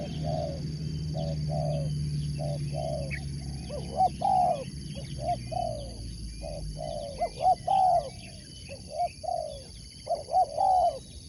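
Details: Spotted dove bred for sport dove singing contests delivers a long series of clipped mid-pitched coos in groups, with a steady low hum fading out midway.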